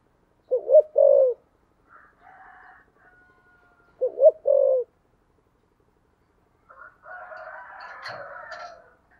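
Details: Two low, mellow cooing phrases from a spotted dove, 'thổ sấm' voice, 'thúc gù' style, each a quick pair of notes ending in a longer hoot, about three seconds apart, with soft twittering and a scratchy noise afterward.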